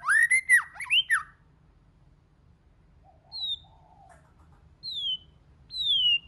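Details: White-rumped shama singing to stir rivals: a quick burst of looping, rich notes, then quiet, a soft low warble and a few clear high whistles sliding downward.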